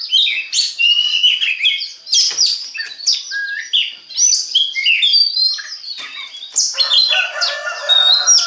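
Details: Oriental magpie-robin pouring out a continuous lure song to prompt others to sing, with fast mixed whistles, sharp chips and scratchy notes, and a rougher, fuller passage near the end.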